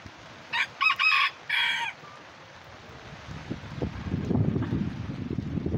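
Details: Lavender Old English Game, mille fleur and silver duckwing bantam chickens out in the rain during Tropical Storm Beta, hunting worms; a few short harmonic clucks and squawks near the start, then steady rain and low rumbling noise.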